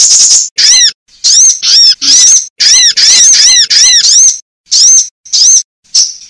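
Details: Female sunbird voice played as a lure for trapping sunbirds or tutoring caged ones: bursts of shrill, arched chirps repeated quickly in tight clusters, with brief silent gaps between groups.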